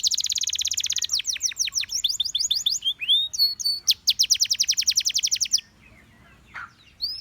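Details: A canary, described as a Gloster canary, sings fast, bright trills and rolling tours of repeated high notes, switching phrases every second or so before pausing; finding: Belgian canary.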